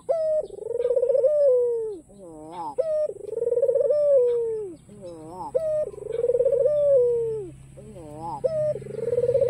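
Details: White ringneck dove, black collar, repeating its coo to get rivals calling; long trembling coos recur roughly every two and a half seconds, each followed by a short ascending laughing flourish.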